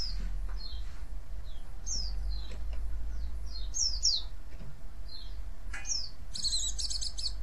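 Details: White-eye giving thin, high, downslurred chirps every half second or so, ending in a quick buzzy chatter, over a low steady rumble; a call used to provoke other white-eyes into answering.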